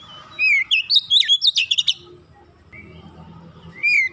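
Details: Oriental magpie-robin singing in tight 'nembak' bursts: a fast string of bright, sliding whistles and sharp clipped notes, then a pause with low background noise and one final rising whistle.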